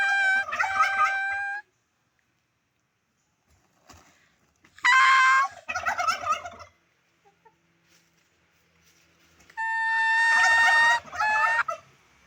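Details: Turkey repeating its call three times over about twelve seconds. Each is a held, nasal tonal note running straight into a harsh, rapid rattle, separated by quiet gaps.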